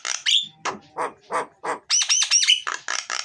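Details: Vigorous, full myna song used as a lure for mynas reluctant to sing: harsh rasping notes alternate with a run of bright whistled upslurs, then coarse scratchy bursts, all delivered rapidly and loudly.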